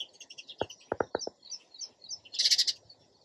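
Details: A string of light, repeated sparrow chirps ends in a loud, rapid rattle of notes, with a few quick tapping sounds early on.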